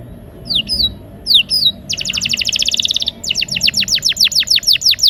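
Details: Canary song in a rolling, rousing style used to prompt silent canaries to sing: a few high whistled slurred notes, then a rapid buzzy rolling trill for about a second, then a fast series of high descending sweeps.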